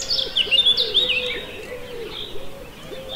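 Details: Eurasian penduline tits, over six individuals on spring migration, at a small pond in the central French countryside, 28 March 2020, between 06:30 and 10:30, giving thin, high, slightly falling whistled notes in quick succession over a low wavering hum.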